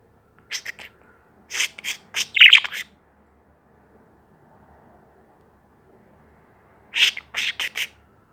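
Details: Bird making angry noises: harsh, broadband squawking bursts in three quick clusters around the first three seconds, then a quiet pause and another rapid cluster of scratchy notes near the end.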